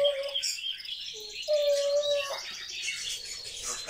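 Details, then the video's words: Grey parrot kept as a pet and said to talk constantly whistles a short tone, a lower brief note, then a long steady clear whistle, followed by soft hissy chatter. "Жорка говорит нон стопом)) И так целый день!"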